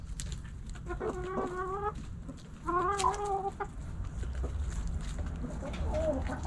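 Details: In a backyard, hens and roosters scratching and pecking produce two drawn-out, harmonic calls of about a second each, then soft scattered clucks over low rumbling background.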